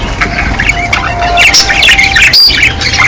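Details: Breeding-season budgerigar chorus: many birds warbling and squawking together, quick rising and falling chirps layered over a steady faint hum.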